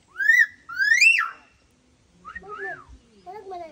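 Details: A talking myna, a local celebrity at the Calauit Island wildlife sanctuary in Palawan, Philippines, gives two loud, rising whistled phrases, then softer voice-like syllables as visitors speak to it nearby.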